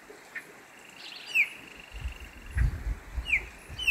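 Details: Chopi blackbird singing its wild song in nature gives two brief, clear downslurred whistles about two seconds apart over a steady high buzz, with low rumbling thumps in the background.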